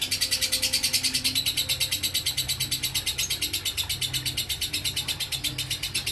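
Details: Lovebird in nonstop 'ngekek konslet' chatter. A piercing, buzzy trill throbs steadily at roughly three beats per second for the whole stretch, over a faint low electrical hum.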